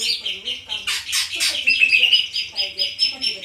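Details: Greater green leafbird singing rapid, repeated whistled and chattering notes, with a brief rasping burst in the middle, over a faint low pulsing sound.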